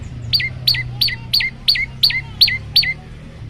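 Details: Olive-backed tailorbird song in a varied form used for training birds: a steady run of eight sharp, high, downward-slurred notes at about three per second, over faint low hum.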